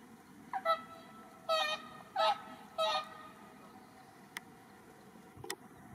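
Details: Captive swans in Asahiyama Park, Iwanuma, Miyagi, Japan, on 1 March 2023, calling busily to draw the interest of six wild whooper swans (two adults, four juveniles). Four loud, nasal, trumpeting honks, rich in overtones, come in the first three seconds, then faint clicks.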